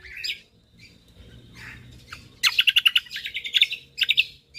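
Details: Lombok white-eye giving a few soft, high slurred notes, then a loud, fast run of sharp repeated chips forming a rapid trill, ending with a short final burst.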